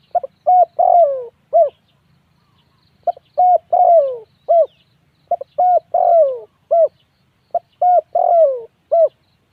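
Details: Low cooing of a spotted dove: three phrases of clipped hollow coos around a drawn-out falling note, each closing with a short coo, spaced about two seconds apart, over a calm, nearly silent background.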